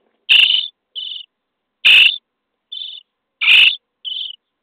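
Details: Starling nestlings in a nest box, day 23, begging while being fed: loud broad hissing rasps alternate with softer narrow buzzy calls, three pairs in under five seconds.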